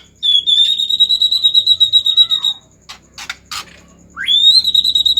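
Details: Agitated white-rumped shama, sung to get other shamas singing: a long, high, sustained trilled whistle, a falling tail, a few dry clicks, then a swift upward slide into another held trilling note.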